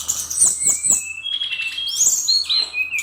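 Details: A brown-chested jungle flycatcher, Bali type, performs a brief burst of song. Thin, high sliding whistles lead into a level whistled note, ending with rising, chattering phrases over soft ticking.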